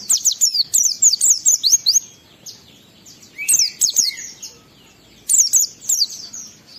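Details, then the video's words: Lure song of an Oriental white-eye, forest-style and rich in mimicked phrases, to arouse emotion and breeding urge in other white-eyes: a fast rattling series of high falling chirps, pauses, a lower slurred note, then another chirp burst. "Pendongkrak Emosi Pleci Tercepat agar Pleci cepat Ngalas gacor buka paruh || Pancingan Pleci"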